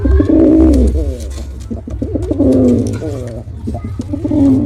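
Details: Male pigeon in full performance, pouring out loud, deep, burbling coos in overlapping phrases about every two seconds, the throaty tone rising and falling, with low rumbling noise underneath.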